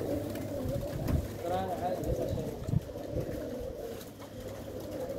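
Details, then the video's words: Low, burbling pigeon coos running almost continuously, while people talk nearby in the middle of the recording. "the sound of pigeon"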